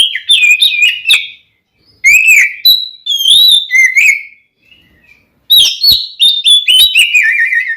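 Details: Oriental magpie-robin singing its fighting song to provoke a rival male: varied whistled phrases, some rising and falling, others sliding down, separated by short pauses, with sharp clicks between notes.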